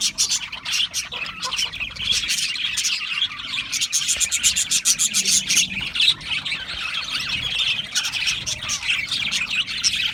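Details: Australian parrots chattering as a flock for about ten seconds, quick clicking chirps and warbled twitters tumbling over each other, loudness rising and falling in rapid waves.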